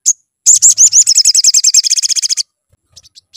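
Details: Lure recording of a sunbird song meant to make birds sing: a single high note, then a rapid two-second trill of repeated high rising-falling notes, ending with a few faint chips.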